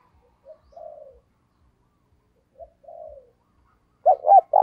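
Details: Caged decoy spotted dove calling to draw in other doves: two soft, low, short coo phrases, then the start of a loud phrase with a double coo and a long note at the end.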